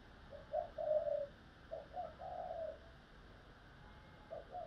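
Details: Decoy spotted dove giving its lure call for trapping; soft, low coos grouped in short phrases of two to three notes, with a pause before a final pair, over a steady background hiss.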